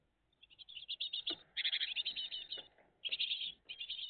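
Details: Early-morning live nest view of a great tit family, 20 June 2023: almost continuous high, rapid chirping in fast trains, rising and falling in loudness, with brief dips and a few soft knocks.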